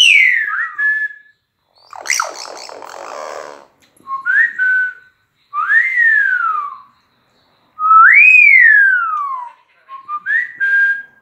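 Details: Talking common hill myna kept as a pet, outdoors by the house, gives a string of clear whistled phrases: rising-then-flat notes, a harsh buzzy rasp, and long arching slurs that fall away. Each phrase is separated by short pauses.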